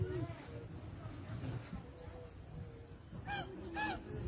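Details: Geese on a lagoon give two loud, nasal honks close together near the end, over a low rumble of background noise and murmuring human voices.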